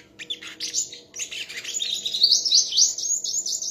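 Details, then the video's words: Sunbird in a singing contest, delivering a dense, high, rapid twittering song of thin sweeping notes and trills, pouring out almost continuously and rising in intensity toward the end, with a faint low hum underneath. "chim hút mật hót đấu"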